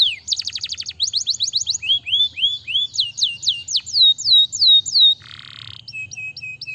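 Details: Canary song for stimulating lazy canaries: rapid high trills, then rising and falling whistled swoops that lengthen and slow, a short harsh buzzy burst, and thin repeated high notes.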